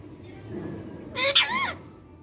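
A ring-necked parakeet utters a brief two-part word-like phrase, nasal and bending in pitch, over quiet background hum.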